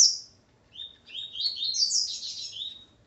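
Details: Double-collared seedeater, a male with his female, giving a high, fast twittering song of slurred, chirpy notes, rising and tumbling over about two seconds after a brief opening chirp.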